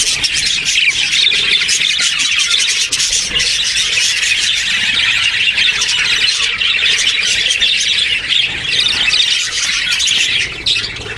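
Parakeet hatchlings give a dense, nonstop chorus of raspy, high-pitched squeaks and chitters that overlap without pause.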